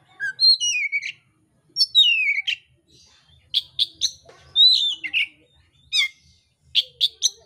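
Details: Oriental magpie-robin fighting song with rough, varied phrasing: loud whistled notes sliding downward from high pitch, interspersed with sharp buzzy chips and short bursts, delivered in quick separated phrases over about seven seconds.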